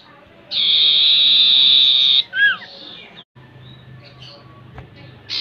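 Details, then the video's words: Common iora song used as a lure to make kept birds sing: a long, steady buzzy trill of nearly two seconds, then two quick down-slurred whistled notes, a pause, and a faint hiss before another buzzy note begins. "Pancingan SIRTU atau CIPOH PALING AMPUH dan sukses bikin GACOR"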